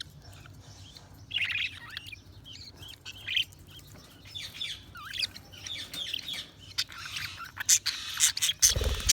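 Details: Pet budgies chatter in a continuous stream of squeaky, warbling notes and twitters, building to denser rapid clicks and chirps toward the end, finished by a dull knock.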